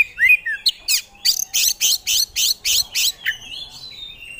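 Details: Oriental magpie-robin in gacor song: two rich whistled slurs, then a fast harsh rasping chatter of about ten bursts, ending in a drawn-out thin whistle.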